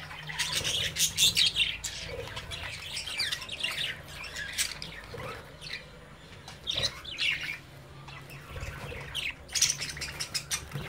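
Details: Budgerigar babies at play in their cage, watched by the parent birds; bursts of sharp, high chirps and squawks come in irregular clusters, with quieter chatter between them and a faint low hum.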